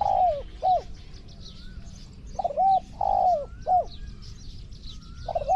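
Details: Spotted dove calling while decoy-trapped with a pen trap in Thailand: repeated three-note phrases of hollow, bending coos, with high insect noise and faint higher whistles between phrases.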